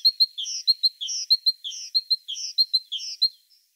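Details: Singing great tit (Parus major): a crisp, high repeated phrase mixing sharp clicks, a sustained whistle and a buzzy falling slur, cycled about every half second for three seconds before stopping, no other sounds present.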